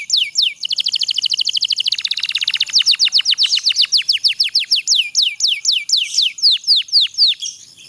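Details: Canary in 'pocong' style delivering a long rolling trill meant to coax sluggish canaries to sing; a dense rapid buzzing roll opens, giving way to steady repeated sweeping whistles, about four per second, continuing to the end.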